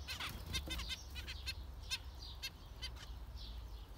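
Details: Several zebra finches calling: short nasal, buzzy beeps with rich harmonics, given in quick irregular bursts, some doubled, over a low steady background hum.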